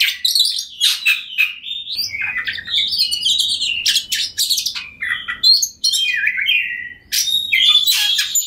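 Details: Oriental magpie-robin, called kacer, in persistent lure song for rival birds: loud varied whistles, slurred rising and falling notes and harsh buzzy bursts, each phrase brief and separated by short pauses.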